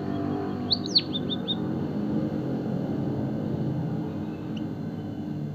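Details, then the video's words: White-headed munia, used as a training and stimulation call, gives a quick run of five or six thin, high, downslurred chirps under a second, one faint note later, over steady low rumbling background noise. "burung pipit bondol kaji gacor - emprit kaji gacor"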